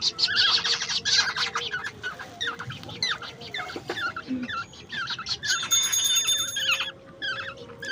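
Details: Baby birds, young oriole and koel, begging during a nighttime hand-feeding of grasshoppers at home; a busy jumble of scratchy, bent chirps and rasps in rapid succession, with a thin steady tone and soft background music.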